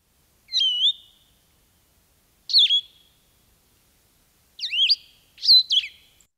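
Blue-headed Vireo singing short, sweet slurred whistled phrases, each separated by a pause of about two seconds, in a question-and-answer pattern. No other sounds.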